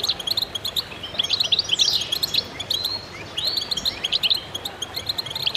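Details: Many goldfinches singing at once: rapid high twittering with a few downward-swept slurred notes, a brief lull after the midpoint, then dense chirping phrases resume.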